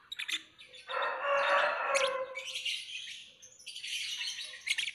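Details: Lovebird mixing sharp high chirps with a louder, harsher, lower-pitched rasping phrase, then returning to a dense run of squeaky twittering notes.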